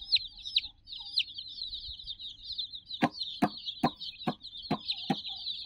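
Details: Shrill, overlapping peeps come from about sixty domestic chicks playing with a toy puppy, with several sharp knocking clicks spaced about half a second apart in the second half.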